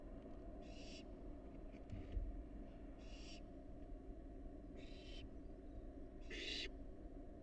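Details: Barn owl fledgling, wild, recorded at a research nest box: four breathy, harsh hisses spaced about two seconds apart, the last one loudest, over a low droning background and a faint thump.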